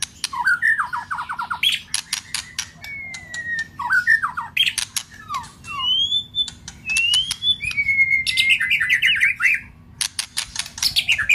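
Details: White-rumped shama song used to rouse a bird into singing and tail-flicking: varied whistled slurs, sharp clicks and harsh chattering bursts alternating with rising and falling pure whistles.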